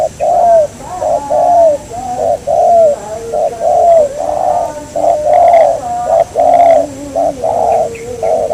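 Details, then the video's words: Local spotted dove, the target of a bird-trapping outing, its voice described as mersik pesom; a steady series of mellow mid-pitched coos, about one a second, with fainter lower tones between and a softly rising inflection on several notes. "MIKAT BURUNG TEKUKUR PART 8, Target Mersik Pesom Lokal dapat di ringkus."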